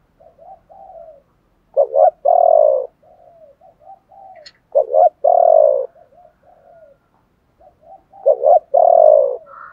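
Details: Spotted dove, male and female calls used to stimulate other doves to coo: a loud two-part coo, a short doubled note then a long mellow low hoot, repeated about every three seconds, with soft quieter cooing between phrases.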